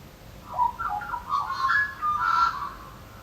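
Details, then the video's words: Australian magpie singing a rich, warbling phrase of fluting, sliding, gurgling notes at 1–2 a.m. near a house during nesting season, when males sing through the night defending territories; quiet night background. "And I opened the front door and I went out and it was magpies calling in the middle of the night, 1, 2 a.m. in the morning."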